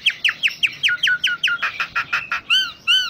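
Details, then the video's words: Common myna song, full of varied fill-in phrases: a quick run of downslurred whistled notes, then harsh grating notes, ending with two clear arched whistles. "Suara Kicaun Burung Jalak Nias Full Isian"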